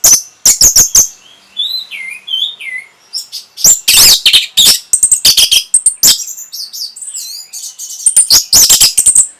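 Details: Orange-headed thrush song played to stimulate breeding condition and a reply: bursts of loud, harsh, sharp high notes alternate with short rising and falling whistled phrases, delivered in a fast, varied, rambling stream.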